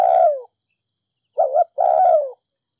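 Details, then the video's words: Thúc gù cooing of a Ninh Thuận spotted dove, a decoy bird meant to rouse other doves. The clip opens with the tail of a falling coo, then a quick two-part note and a long, smooth, downward-sliding coo. Clean recording without background noise. "Cu gáy kích bổi nhanh nổi,THÚC GÙ Giọng đồng pha thổ,cu gáy ninh thuận mồi đất thúc gù"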